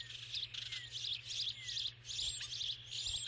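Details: Starling giving short, bright chirps and squeaky notes in quick bursts, clustered high and repeated several times a second with brief pauses, over a steady low hum.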